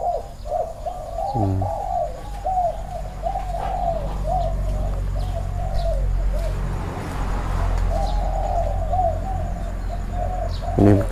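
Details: A caged spotted dove at a dove keeper's home in Thailand coos in low, throaty series of rounded notes: one long run, then another after a pause, with faint background chatter.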